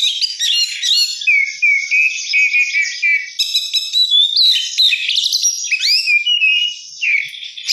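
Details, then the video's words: Oriental magpie-robin, called kacer, singing 'gacor' with luxurious 'isian mewah' fill-in: rapid warbled phrases, steady whistles, and a couple of loud upward-sweeping whistles near the end. "kacer gacor isian mewah"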